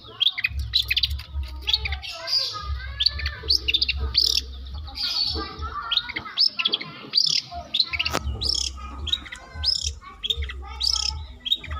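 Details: Long-tailed shrike from South Malang, a tutored bird said to combine lovebird and canary song; dense, fast run of high chirps, trills and squeaky notes, nearly continuous, with a steady low hum underneath.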